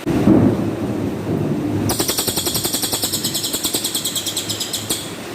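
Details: A cililin gives its rough tembakan kasar volley, offered as training master song for contest birds: after a low thump, a harsh buzzing burst of rapid pulses runs about three seconds, then one more burst begins.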